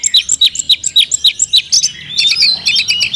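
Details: Oriental magpie-robin in captivity delivering isian song: crisp high chirped notes repeated several times a second in a steady run, then a sweeping, slurred warbling phrase.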